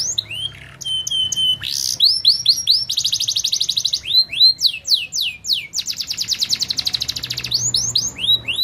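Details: Canary song played for training birds to sing: sharp metallic notes, a loud burst, then alternating buzzy rolled trills and quick descending whistles, each phrase changing every second or two.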